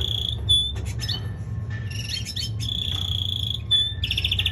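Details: Male canary during singing training, mixing long pure high whistles with rapid chattering phrases and a buzzy rolling trill at the close, a low background hum running underneath throughout.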